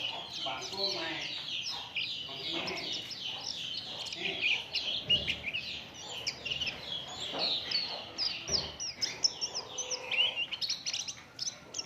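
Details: Oriental white-eyes singing as a lure for other birds: a thick, continuous twittering of thin high chirps and trills, with sharper accented notes breaking through now and then.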